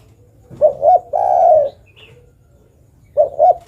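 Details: A female spotted dove calls for the male with one full phrase of two clipped cooing notes and a long low coo, then the opening two notes of the next phrase.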